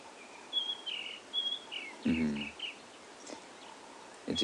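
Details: White-browed Scrub Robin singing at sunrise on an autumn morning in Kruger National Park: short, clear whistled phrases repeated at a steady pace, a brief low burst of another sound midway, faint background hiss.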